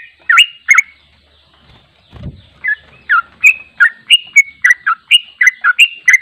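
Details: Sooty-headed bulbul (trucuk) giving the long trilling 'ropel panjang' song, without editing, used for training: two loud chirps, a short pause with a low thud, then a rapid series of bubbly, up-and-down slurred notes.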